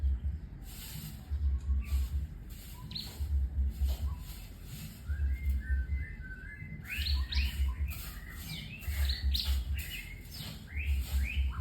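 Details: White-rumped shama pours out varied whistles, rapid trills and sweeping notes, growing busier in the second half, over a loud rhythmic low thumping beat that repeats about every two seconds.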